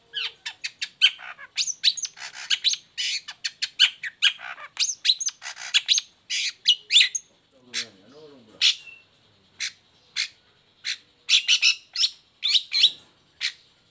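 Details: Long-tailed shrike lure recording for moulting or reluctant shrikes, bird singing with its cage cover off: rapid chattering volleys of scratchy notes, a brief pause with a low warbling sound, then renewed harsh bursts.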